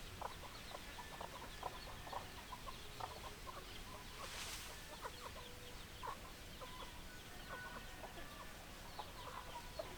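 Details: Chickens clucking: dense, overlapping short clucks from several hens, steady and irregular throughout, with a brief noisy rush partway through.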